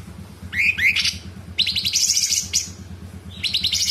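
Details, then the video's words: Sooty-headed bulbul (cucak cungkok) giving rough, rapid 'tembakan' song. Two rising whistles are followed by a long, dense buzzy chatter and a shorter rattle near the end, over a low background hum. "Cucak cungkok gacor Variasi suara tembakan istimewa besetan kasar jeda rapat dan FULL ISIAN"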